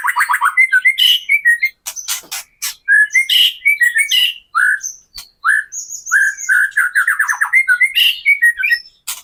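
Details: Captive white-rumped shama in gacor kretekan style, used as a lure to make other shamas sing, rouse their fighting spirit and show their full repertoire; nonstop varied song of rich whistled phrases, fast trills and sharp clicks, with few pauses.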